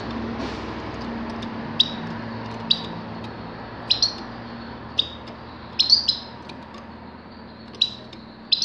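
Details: High, short, liquid chirps from a grey-crowned goldfinch, recorded in 2019, spaced irregularly about once a second, some doubled, over a steady low hum and hiss.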